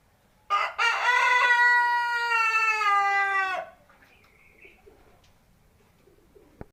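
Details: Single crow from a seven-month-old Indonesian native village chicken: one loud, steady, strongly harmonic note lasting about three seconds, dropping slightly at the close, followed by near quiet with faint background sounds.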